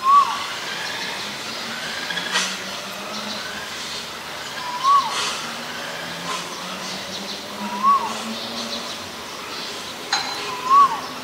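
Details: Male Asian koel giving short, clear, upward-sweeping notes, each repeated about every two and a half to three seconds, over a steady hiss of traffic with passing vehicle rushes.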